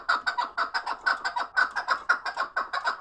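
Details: Chukar partridge kept for fighting, calling in a rapid, even string of sharp chuck notes, some doubled, with no other sounds.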